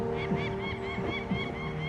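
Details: An urban peregrine falcon pair in Ealing, London, gives harsh, arching alarm calls about three a second while chasing off an intruding bird, apparently a gull, over a low hum of background music.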